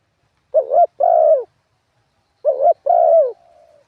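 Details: Spotted dove used as a ground decoy, in a wild-style song with ขัด and หนุน parts. Two mellow phrases, each a brief warbled coo and a longer drawn-out one. The last phrase trails into a soft fading tail.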